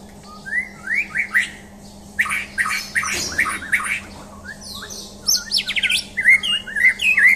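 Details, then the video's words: White-rumped shama, a champion bird, delivering a rich, varied song of clear rising whistles, rapid chattering notes and brief squawky elements in rapid succession, over a constant low humming background. "Tes Mental Murai Batu Juara"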